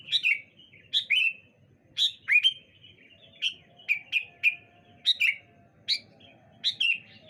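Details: Morning chorus of sooty-headed bulbuls answering each other: a steady series of short, bubbly whistled phrases of two or three notes, roughly one phrase per second, with a faint low hum behind.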